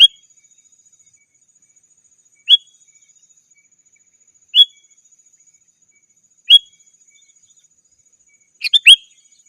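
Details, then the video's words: Sooty-headed bulbul call meant to answer rivals and lure wild birds: single clear upslurred whistles repeated about every two seconds, then a fuller bubbly phrase of several quick notes at the end, on a quiet background. "Suara Burung KUTILANG GACOR 100% Ampun Untuk Suara Panggilan dan Masteran"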